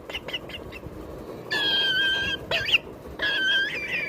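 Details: A Triton cockatoo (Cacatua galerita triton), kept as a pet, gives a few quick clipped notes, then long, harsh, drawn-out squawks, one with a short bent break between them.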